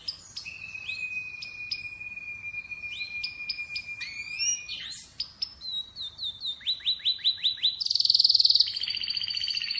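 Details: Atlantic canary song built from a long steady whistled note with sharp clicks above it, then a series of rapid descending chips, ending in a loud, buzzy, high rattle.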